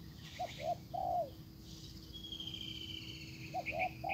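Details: Spotted dove decoy luring a wild bird, soft coos at the start and end, with a high thin whistle from another bird and buzzing insects in between.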